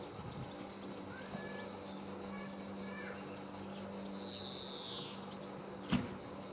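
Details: A male greenfinch at Sabunike, Croatia, recorded on 26 July 2014, gives one long, rasping, wheezy note that swells and fades. A constant insect drone runs throughout, and a sharp click comes near the end.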